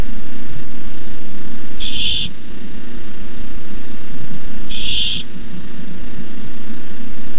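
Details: Barn owl on a nest cam begging when a rat arrives, May 29, 2015: two harsh, hissing screech bursts about three seconds apart, each roughly half a second long, over a continuous low drone.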